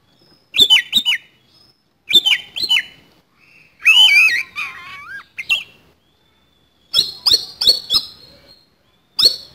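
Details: A rough fighting song from an oriental magpie-robin: paired clipped chirps, then a long, warbled, swooping phrase, followed by a quick run of four sharp chirps and another pair.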